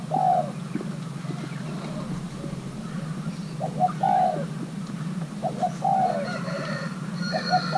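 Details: Young male Thai-hybrid spotted dove in pairing, cooing in scattered bursts of short notes and arched, falling coos separated by pauses, with a faint higher bird note and a steady low rumble behind.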